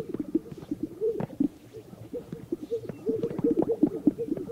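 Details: Greater Sage-Grouse performing mating displays in the morning on a remote historical lek in vast sagebrush, North Park, Colorado: low, hollow coos and soft popping plops overlapping as several birds call, with faint background rustle.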